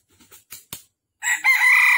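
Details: Red junglefowl crowing while being trapped on the morning of December 13, 2021 in Vietnam, with a wild rooster coming to fight. Several soft clicks and rustles come first, then a loud raspy crow starts and carries on.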